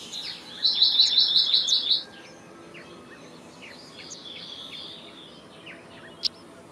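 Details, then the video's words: Black-naped blue flycatcher, the black-naped monarch, delivers a single quick string of about ten high, ringing repeated notes. Softer chirps and calls from other birds follow in the quieter remainder. "Black-naped Monarch Song! Black-naped Monarch Call! Black-naped Monarch Sound"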